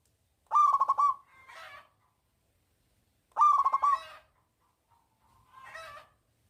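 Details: Local zebra dove with a loud voice, singing to lure lazy doves into song: two loud phrases of rapid pulsed notes, each followed by a softer, lower rolling coo, about three seconds apart, with a quiet background.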